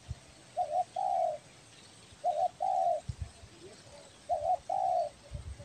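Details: A spotted dove (tekukur belah dada, Kepri) calling steadily as a lure sound: paired coos, a short note then a longer drawn-out one, repeated three times, over a faint hiss and occasional low thumps.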